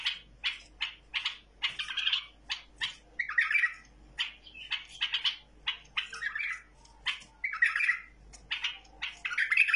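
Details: Hand-tamed bulbul delivering a lively run of crisp chirps spaced about half a second apart, mixed with several short bubbling warbles.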